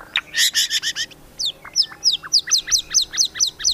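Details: A loud, varied song from a Medan white-rumped shama: a burst of rapid buzzy notes, then a run of sharp, high, whip-like whistles repeated about every quarter second.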